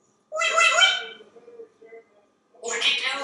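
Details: African grey parrot in a kitchen before dinner, mimicking speech with a rich voiced phrase, soft murmurs, then another word.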